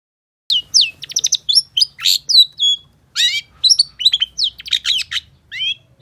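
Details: Long-tailed shrike in a lure recording meant to get silent shrikes singing: a varied medley of sharp chips, short trills and slurred whistles in quick succession, with a brief pause midway.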